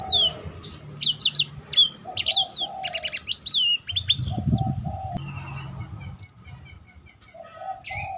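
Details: Black-throated canary singing as a master for other birds, urging them to sing; bright chirps and whistled slurs early, quieter later with low warbles and fluttering noise.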